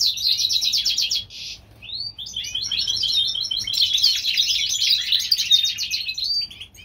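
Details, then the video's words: European goldfinch hybrid singing in springtime in California: a fast, bright twittering run of high trills and buzzy notes, a brief pause, then a long rambling jingle of chirps. "European gold finch Hybrid/ The Spring time."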